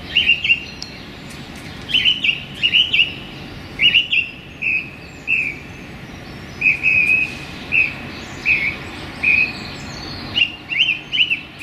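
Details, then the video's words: Song thrush singing hard from branches in a small London park on a sunny January day, delivering loud high whistled phrases in pairs and triplets, each repeated before switching, with brief pauses between and a soft low rumble behind. "Song Thrush Turdus philomelos singing in a London park on a sunny January day"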